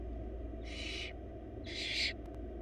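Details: Wild barn owl chicks, four young in a nest box, begging while their mother feeds them a large rabbit; two harsh, broadband hissing screeches about half a second long, separated by a one-second pause, over steady low hum.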